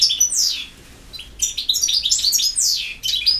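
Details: Campero-style song of a European goldfinch: a quick burst of high twittering notes, a short gap, then a longer run of liquid chirps, buzzy slurs and tinkling trills.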